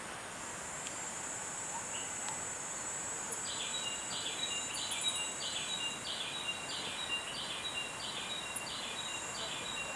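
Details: Spotted tanager (labelled Tangara gyrola) in Costa Rica gives a rapid run of thin, high, clipped notes, slightly stepped, about three per two seconds, over a steady high insect hiss.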